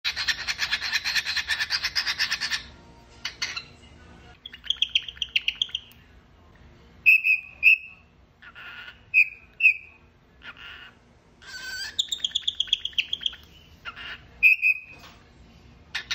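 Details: A hand-fed pet cockatiel gives its daily whistling: clear, bright whistles mixed with harsher raspy chirps and squawks.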